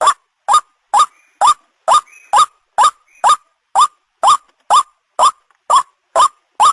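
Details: White-breasted waterhen ruak-ruak calling, a lure recording for hunting: loud harsh rising notes about two per second, fourteen in a steady series, with no other sounds.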